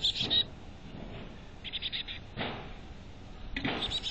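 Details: A chickadee inside a North Vancouver nest box gives brief bursts of high chips at the start, middle and end, with soft scraping sounds between them.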